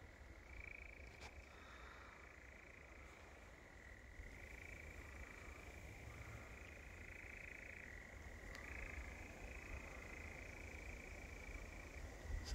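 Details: European nightjar churring at Wiggonholt Common around 9:30 pm in drizzle near dark, at least two birds, one distant: a long, unbroken mechanical trill shifting pitch a few times, over a low rumble of wind or traffic.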